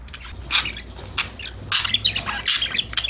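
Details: Pet parakeets talking to each other in rough, squawky chirps spaced irregularly, with quieter twitters in the gaps.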